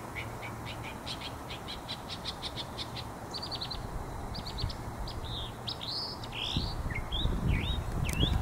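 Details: Northern mockingbird at South Meadows on 24 September 2023 sings a quick run of repeated chirps, then varied slurred and rising whistles, over a steady low rumble.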